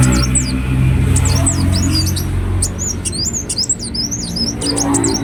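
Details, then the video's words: Ruby-cheeked sunbird chattering: bursts of thin, high, wavering chirps and twitters, grouped in quick phrases over a strong low rumbling background noise. "Kolibri Wulung Gacor Latah Gampang Bunyi"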